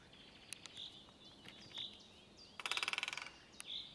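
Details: Great spotted woodpecker (Dendrocopos major) recorded 20 April 2024 at Hauptmanca, Ljubljansko barje. It gives sharp single ticks, then a fast burst of about a dozen hard taps in under a second. Thin high whistles from another bird are heard.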